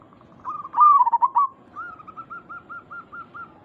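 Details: Local zebra dove singing as a lure to prompt responses: a soft lead-in, a loud rolling, bubbling coo, then about nine evenly spaced short cooing notes fading out.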